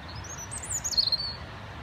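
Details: A robin marking out its territory gives one brief, thin, very high warbled phrase that slides downward, over a faint low background rumble.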